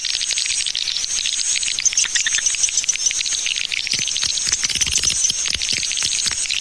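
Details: A 'Tarik Permata' lure sound for attracting swiftlets: high chattering twitters packed closely together, with many sharp clicks scattered through the chorus.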